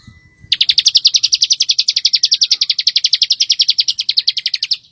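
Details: Continuous 'ngebren rapat' trill of a bar-winged prinia, used as master recording to teach white-rumped shamas: over four seconds of unbroken, rapid, sharp high chirps at a steady rolling rhythm.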